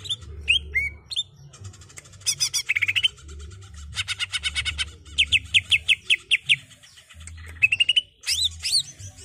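A greater green leafbird sings a lively, nonstop jumble of bright whistles, upslurred chirps and fast rattling trills in quick bursts, over a faint low hum.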